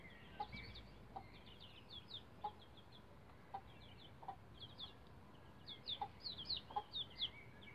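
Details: Young bantam Rhode Island Red chicks, roughly 11 days old, climbing a chicken ladder, give high descending cheeps in loose clusters. A lower soft pulse recurs irregularly underneath, growing busier toward the end.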